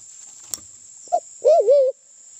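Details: Sulawesi black pigeon from Sulawesi, recorded as a lure call: a single sharp click, then a short low hoot and a longer undulating hooted phrase that waves up and down. A constant high-pitched hum underlies it.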